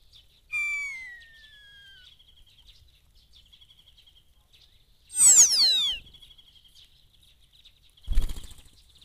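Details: Common starling singing in morning haze, Eifel near Dohr, Germany: a descending whistle, soft high twittering, then a loud rapid downward-sweeping rattle and a closing thump.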